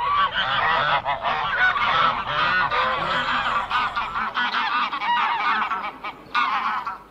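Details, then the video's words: Geese honk and scream almost without pause, harsh nasal calls overlapping in a loud, continuous chorus that thins briefly near the end, followed by a person laughing. "How geese scream/goose sounds"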